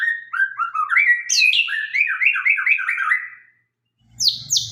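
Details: White-rumped shama of Sabang stock in sharp song: repeated rolling, upslurred whistle notes in a steady run, punctuated by high clear whistles, then silence and two brief high notes.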